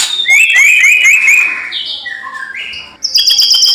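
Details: Loud, energetic white-rumped shama song in fighting mood: fast repeated rising whistled notes, then stepped buzzy phrases sliding between pitches, and a closing run of sharp high whistles; faint background hiss.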